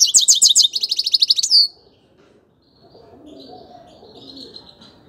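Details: Grey-crowned goldfinch singing a fast burst of high, twittering, liquid notes for under two seconds, ending in a drawn buzzy trill, then falling quiet over a soft low background murmur.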